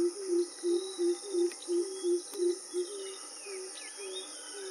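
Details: Greater coucal about 15 m away, recorded hand-held with a camera's internal mic. Deep, hollow hoots come in a rapid, even series of about ten, then trail off into softer notes over a constant high insect buzz.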